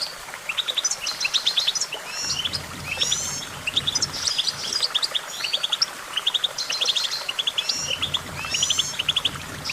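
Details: Bright goldfinch song: dense runs of fast ticking notes and liquid trills in repeated bursts roughly every second, with brief gaps and a faint low hum.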